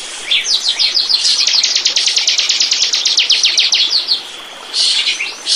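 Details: Bar-winged prinia lure: a sharp trill of high, clicking chips lasting about three seconds, then a brief pause and a scratchy burst of notes.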